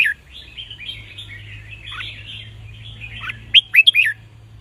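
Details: Red-whiskered bulbul song for training young cage birds to sing: several seconds of soft, chattering warbles ending in a loud, clear sequence of three sharp, rising whistled notes.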